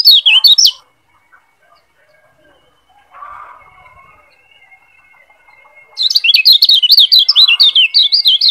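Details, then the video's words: Lombok yellow white-eye (kecial kuning), recorded as a tutor to train other birds; a short high chatter, a long quiet stretch with a faint whine and soft rustle, then an extended burst of fast, buzzy zigzag notes. "Masteran Kecial Kuning Biar Lebih Cepat NGEPLONG‼️"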